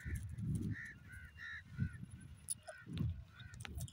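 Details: Grey francolin (Iranian desi teetar) giving a quick run of five or six ringing, arched notes, then scattered shorter notes, over heavy low rumbling background noise.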